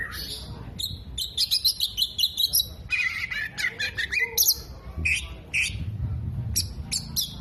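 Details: Oriental magpie-robin singing strongly, tail fanned, delivering mimicked 'kolibri', 'jenggot' and lovebird phrases; rapid bursts of high ticking chips, scratchy squeaks and brief whistles in uneven clusters.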